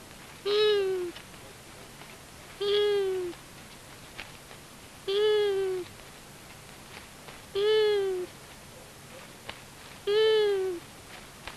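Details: Long-eared owls, a male and a female, visiting a common buzzard nest at Tiszavasvári, Hungary, on March 23, 2022, caught by a solar-powered nest camera: five loud nasal, slightly falling, harmonic-rich calls about every two and a half seconds, with faint clicks between.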